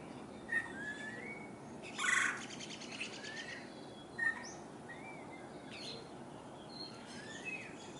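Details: Woodpeckers, downy and red-bellied, search a backyard willow tree for insects in 2022. One loud grating burst rings out early, followed by a shorter rasp, while several other birds give upslurred whistles over soft constant hiss.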